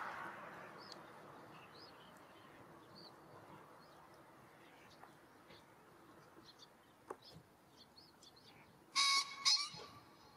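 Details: A male green pheasant courting a female on farmland in Japan's San'in region in early May gives two loud, harsh, abrupt crowing notes, half a second apart, over faint high chirps of small birds.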